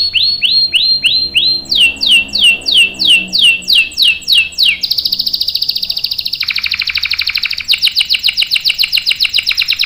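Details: Canary singing a long 'ngerol' roll: measured down-slurred whistles about twice a second speed up, then switch to a long, rapid, high buzzing trill that carries on to the end.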